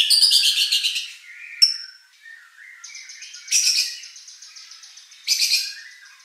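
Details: White-rumped shama competition song to trigger a reply: loud harsh buzzy bursts alternating with softer thin whistles and a held high note.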